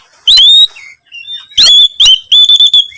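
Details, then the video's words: Oriental magpie-robin singing hard while searching for a rival, with clear ringing whistles, a quiet pause, then fast repeated whistled notes held on a steady pitch. "burung kacer gacor terus mencari lawannya"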